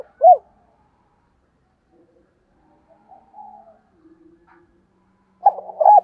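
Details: Spotted dove calling as a decoy to prompt doves to answer: a short, loud coo, a quiet stretch with faint scattered notes, then a closing pair of husky coos.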